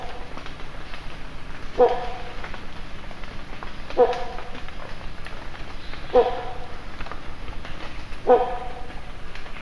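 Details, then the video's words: Great hornbill at Valparai giving four loud, hoarse, bark-like honks about every two seconds, over a low background murmur. "Great pied hornbill call"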